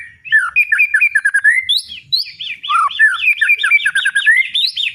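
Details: White-rumped shama giving a loud ngeplong song: rapid runs of fluty, bouncing whistled notes, repeated in looping phrases with occasional higher upward sweeps.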